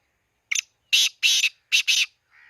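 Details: Black francolin recorded at Khushab giving its harsh, rasping call: a short sharp note, then two paired groups of loud, grating, broadband notes, ending on a faint, lower, buzzy trailing note.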